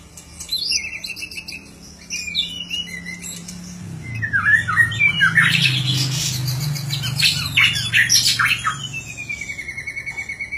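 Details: White-rumped shama in 'gacor' song: quick chattering note series and harsh squawky bursts, ending in a long level whistle, with a loud low hum and background noise throughout.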